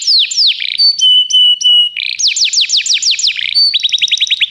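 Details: Canary singing as a training recording for canaries: falling sweeps, steady sustained whistles, a run of downward-slurred notes, then a quick rolling trill, all high and bright with no background noise.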